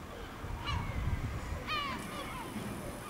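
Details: Village gulls flying over the village at El Ortegal until nightfall: two loud, harmonic, downslurred cries about a second apart, each with a short rising start. A steady low rumble sits underneath.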